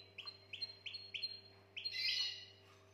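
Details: Canary song played to stimulate females for breeding: five evenly repeated whistled syllables, then a short scratchy noisy burst, fairly faint over a low steady hum.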